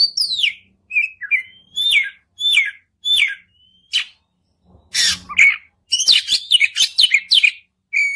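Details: White-rumped shama singing to prompt another bird to sing: sweet falling whistles and short whistled phrases, then loud harsh rasping notes and a quick jumble of chirps, with brief silences between phrases.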